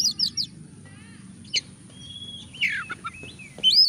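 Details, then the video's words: Oriental magpie-robin singing hard, offered as a lure for a lazy bird: quick high twitters, a drawn-out level whistle, a rasping downward sweep and a closing run of high warbled notes over a faint hum. "kacer gacor DOR pancingan kacer malas bunyi langsung ngamuk"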